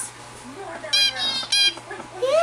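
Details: A grown, hand-tame male zebra finch gives two loud, nasal, buzzy notes, part of a song likened to a vacuum cleaner sucking up seeds, while a woman talks softly nearby trying to record his song.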